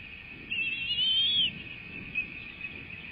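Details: Bald eagles being fed at a nest in Florida, 3 May 2024: one drawn-out, wavering high whistle rising slightly before cutting off, then a faint brief note, against rumbling low background noise.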